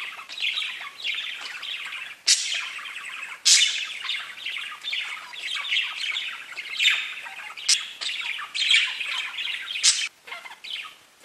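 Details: A flock of pet budgies chirping: rolling, raspy warbles and quick twitters run continuously, broken by loud sharp squawks near two, three and a half, seven and ten seconds.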